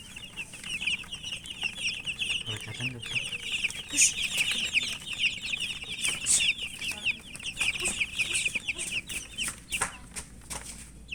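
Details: Many young chicken chicks feeding, their thin high peeps merging into a nearly unbroken chattering stream, punctuated by crisp tapping clicks from pecking.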